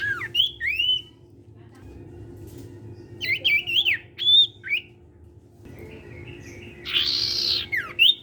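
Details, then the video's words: Song of a sirtu, played to set other sirtu birds singing: clusters of bright, swooping whistled phrases separated by pauses, with a short harsh buzzy note near the end. "SIRTU CIPOW GACOR BIKIN SIRTU BAHAN IKUT BUNYI."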